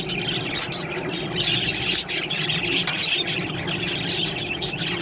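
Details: Budgerigars keep up a steady, crowded chatter of high twittering chirps, with a few clearer whistled squeaks popping out every second or so above the busy background of many birds.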